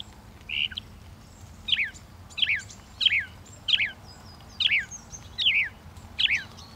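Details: Northern mockingbird song: a sharp, downslurred chirp repeated about eight times at uneven intervals of under a second, high and clear over a faint low background hum.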